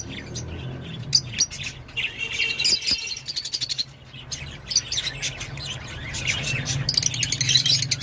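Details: Rosy-faced lovebird giving scattered squeaky chirps that build into rapid chattering runs toward the end, over a constant low droning hum.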